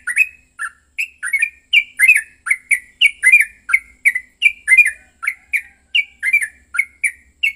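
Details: Fighting song of a yellow-vented bulbul, played to make another bird sing: loud, rapid, rhythmic bubbling phrases, each a quick rising-and-falling warble, repeated about three times per second without pause.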